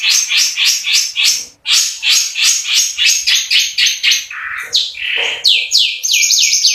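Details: Cendet (long-tailed shrike) firing off rapid 'tembakan' notes: a steady series of loud, downward-slurred chirps repeated several times a second, broken once by a lower buzzy note before the run resumes.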